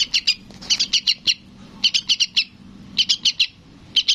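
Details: Sooty-headed bulbul youngster calling its parent: four hurried bursts of shrill, clipped chips over four seconds, each burst of four or five notes.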